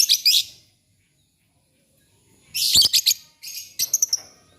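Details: Lovebirds in the morning exchanging song. Short stuttered shrill chirps open, then a pause, then a dense run of scratchy chatter and high squeaky notes.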